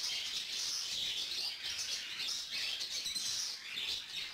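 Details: An adult male cockatiel feeds a newly independent young lutino female who begs him for food; unbroken, fast, hoarse hissing chatter with faint high tweets.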